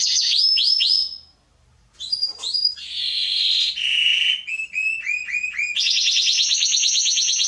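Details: Canary (Serinus canaria) song from a training recording for young birds: a few swooping notes, a short silence, then varied phrases of buzzy rolls, repeated upward-bending chirps and a dense high trill.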